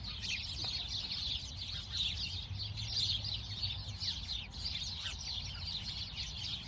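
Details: Many sparrows chattering at once, quick sharp chirps stacked thickly in a high register, rising and falling in loudness over a soft low rumble.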